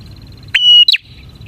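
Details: A single phrase from an actively singing bar-winged prinia, lure material for catching prinias: an abrupt upward sweep into a level, piercing high tone, then a quick rising flick.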